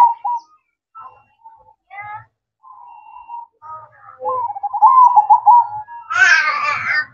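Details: At night a zebra dove gives its manggung song, scattered soft notes building into a quick rolling series of cooing notes, then a burst of louder, rougher harmonic calls near the end.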